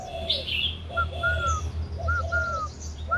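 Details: Spotted dove, a tame bird, gives short arched cooing notes with a faint higher overtone, two quick phrases over a steady low engine-like hum, with a few thin chirps from other birds above.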